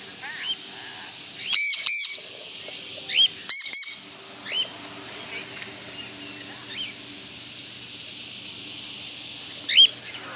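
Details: Free-flying cockatiels snacking on homegrown millet give harsh screeching bursts mixed with short, upslurred whistled chirps.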